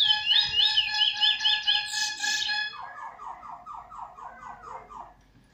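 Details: Trinidad bullfinch (chestnut-bellied seed finch), a proven tutor bird in its sixth black plumage, recorded 19/02/2020, sings a rich, fast warble of clear whistles and high trills, then about nine quick, slurred, fading notes.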